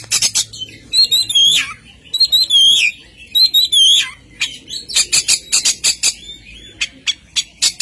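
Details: Oriental magpie-robin singing hard: rippling, slurred whistled phrases that rise and fall, broken up by rapid scratchy chattering notes. The song carries on with short pauses between phrases.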